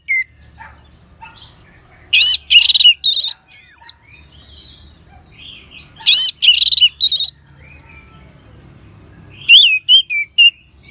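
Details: Orange-headed thrush used as a singing prompt for other birds: dense bursts of harsh, high chattering notes alternate with softer whistles, ending in a few clear, looping whistled phrases.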